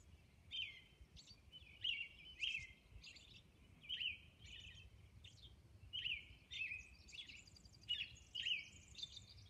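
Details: Robin singing at dawn on Orcas Island: short whistled, carolling phrases, each rising and falling, repeated about every second with brief pauses, over a faint low hum.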